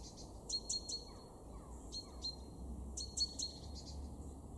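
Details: Great tit calling in a garden in Weener, East Frisia, north-west Germany, February 2023: quick pairs of thin, high, piercing notes with short pauses between bursts, low background rumble.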